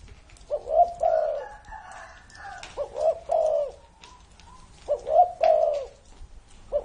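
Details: A spotted dove, said to be over 30 years old, gives soft, mellow cooing phrases of two or three notes with a drawn-out final coo, repeated about every two seconds against a quiet background.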